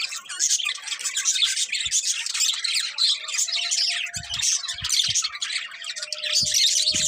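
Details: Several pet budgerigars chirping in a dense, steady chatter of high, buzzy warbles and squeaks, nearly continuous throughout, with a few soft low thumps near the end.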